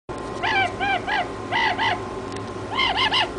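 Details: Toucan calling: short nasal, croaking notes in arched pairs and triplets, about three groups over a few seconds, over a steady background hum.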